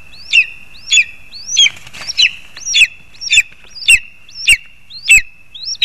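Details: Lesser spotted eagle at a nest in a spruce in Zemgale, Latvia, with a frog brought for the young: loud, sharp yelping notes, each a quick rising then falling squeal, repeated roughly every 0.6 seconds, about ten in a row, over a faint steady whine.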